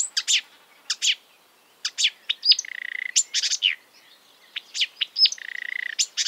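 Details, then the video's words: Bursts of harsh high chirps broken by steady, lower buzzy whistles held for about a second, sung by an exuberant marsh warbler that imitates European and African birds. "An exuberant marsh warbler (Acrocephalus palustris)"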